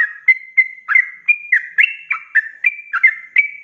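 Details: Sooty-headed bulbul (trucuk) in a lively 'ropelan' song recorded to train cage birds: quick repeated whistles, several held flat and others sliding downward, roughly three per second without a break.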